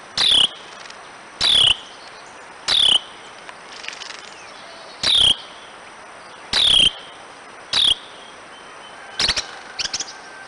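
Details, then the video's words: Harsh, clipped scolding calls from a chatty wren, about eight abrupt bursts each carrying a short falling note, coming every one to two seconds with softer ticks between, over constant high background hiss. "Another chatty Wren!"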